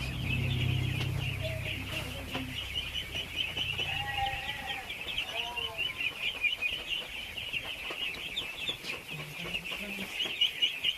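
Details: A huge flock of ducklings at feeding time fills the air with a constant shrill peeping. Low rumbling fades after the opening seconds, and a handful of deeper, sliding notes stand out midway.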